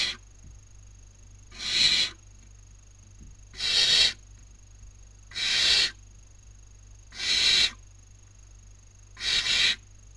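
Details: Barn owl owlets at a nest webcam in Cabañeros National Park, Spain, during the 2019 breeding season, competing for food; long harsh hissing screeches repeated about every two seconds, broad and noisy with a steady faint tone behind.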